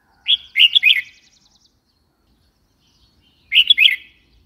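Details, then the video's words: Red-whiskered bulbul call: a quick burst of three chirpy, warbling notes, then silence, then a second similar three-note phrase about three seconds later. "Red whiskered bulbul call 04"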